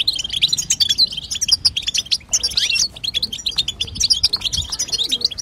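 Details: Batbata and sastasa chattering of a female European goldfinch, meant to make a male sing: a busy stream of high, liquid twitters and chirps with brief rapid trills, scarcely pausing throughout.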